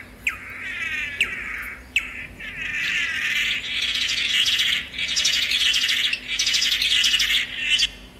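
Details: Swallow-tailed manakin (Chiroxiphia caudata) song: three sharp, downslurred notes, then long, high, buzzy warbled phrases broken by brief pauses.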